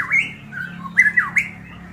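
A golden myna gives loud, slurred whistles that swoop up and down, with a few quick squawky notes in two seconds over a faint low hum.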